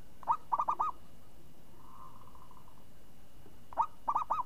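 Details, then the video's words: A zebra dove sings in a crisp, swinging style: four quick arched cooing notes, a soft drawn-out murmur, then a further cluster of five rounded coos. A low steady hum runs throughout. "Perkutut Juara Suara renyah ngayun"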